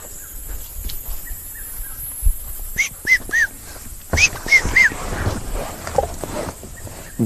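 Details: A Red-chested Cuckoo calling nonstop at sunset on 25 November 2023 at Rietspruit Game Reserve in South Africa's Lowveld, likely seeking a mate, gives two bursts of three loud, clear whistled notes, each dropping in pitch, with rustling and knocking nearby.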